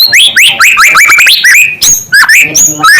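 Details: Rapid, loud song from a white-rumped shama, said to make other shamas agitated: quick upward-slurred whistles repeated several times a second, then varied falling and rising phrases, almost without pause.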